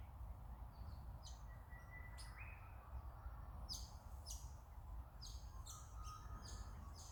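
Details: Swift parrot recorded at a sighting on 06/08/2024: short, high, sharp chirps repeated in loose bursts, with a thin whistled note and a rising note, over a steady low rumble of background noise.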